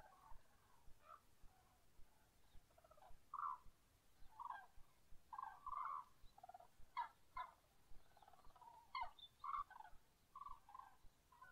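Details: Common cranes at dawn calling as a flock: overlapping, rolling, trumpeted notes sound in bursts every second or so for about eleven seconds, loud and close, with fainter birds calling behind.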